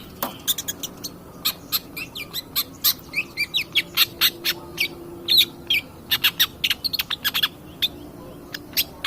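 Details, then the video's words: Long-tailed shrike lure song for provoking other birds: fast stream of sharp ticking notes and raspy chatter, with a few warbled whistles, almost continuous across the clip. "pancingan cedet pastol gacor"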